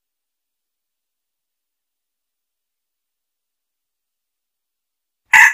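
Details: Near silence for five seconds, ending in a brief loud burst of sound.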